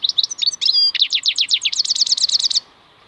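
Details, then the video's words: A European goldfinch sings a fast, high, tinkling twitter that runs into a quick trill of about a dozen sweet, rising notes, with no other sounds. "MAKNINE KHALWI super chant مقنين خلوي"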